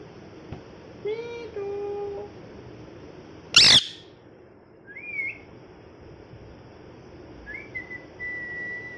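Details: An angry pet parrot, molting, indoors: a single loud harsh screech mid-clip, preceded by a short tonal note and followed by thin rising whistled squeaks, over a steady low hum.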